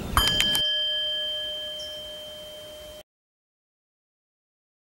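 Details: A short clatter opens a sustained metallic ringing tone with several steady overtones that slowly fades, then the sound cuts to silence.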